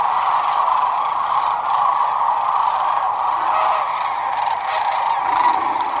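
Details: Sandhill cranes, part of a gathering of about 12,000 at Whitewater Draw on February 19, 2021, calling together in a dense, unbroken wall of rolling, trumpeting voices that merge into a steady roar.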